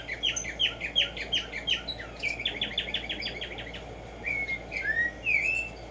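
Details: Black-striped sparrow (Tumba Yegua) song: a fast series of short, sharply dropping notes repeated nearly three times per second, then a few drawn-out slurred whistles, with faint background hum.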